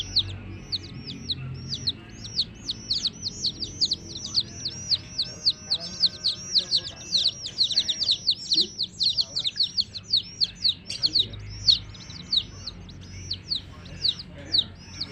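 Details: Long run of baby chick chirping, many high, downward-swooping peeps overlapping in a dense, restless chorus that swells and thins, with faint low background sounds.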